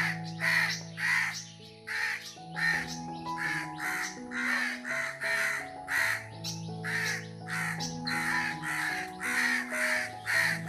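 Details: A crow perched in a tree gives harsh, broad caws repeating roughly every half second to second in bursts, over a steady background of sustained music tones.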